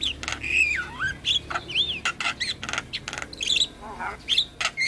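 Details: Javan myna (jalak kebo) singing steadily in a 'gacor full isian' tutoring recording: looping whistles rising and falling, harsh squawks and dense scratchy bursts follow each other quickly.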